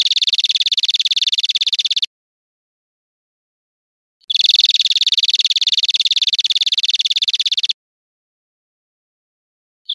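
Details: European greenfinch trilling, recorded to teach caged birds: two long bursts of quick, evenly repeated high notes with a silent gap between them, and a brief note at the very end.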